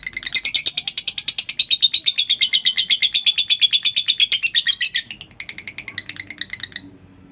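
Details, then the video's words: Lovebird's long ngekek chatter, used as a training recording: a dense, loud stream of screechy notes lasting about five seconds, then a short gap and a weaker run of clipped chirps before it fades out. "masteran suara Lovebird ini mampu membuat Lovebirdmu gacor"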